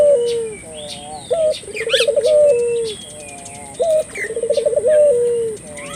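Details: Turtle dove cooing to stimulate local doves to call: a short rising note, a fast quavering rolled coo, then a long steady low note, phrases repeating about every two and a half seconds, faint chirps of other birds behind.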